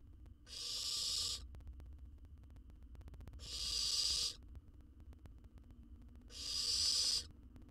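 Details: Wild owl chick filmed in a monitored nest box in Israel while devouring a jird whole. Steady breathy hissing bursts of under a second, three in a row, roughly three seconds apart.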